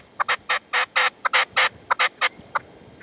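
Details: Partridge and a decoy partridge (reclamo) calling at sunset in the sierra at Manzanares on 27 February 2014, the male refusing to come in; loud harsh chuck notes in an uneven run, about fourteen bursts in three seconds, fading to sparse notes.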